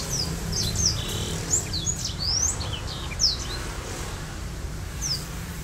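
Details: A Botswana black-throated canary sings a rolling song with wings spread, in quick, high, thin notes and short sweeping chirps about once a second, over a steady low hum.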